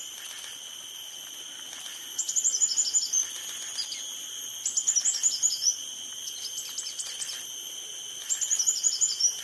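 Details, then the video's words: Female copper-throated sunbird calling from a perch at Sungei Buloh Nature Reserve, Singapore: short bursts of sweet, high twittering notes every two seconds or so, over a constant shrill insect drone. "Bird Call: COPPER-THROATED SUNBIRD's sweet calling"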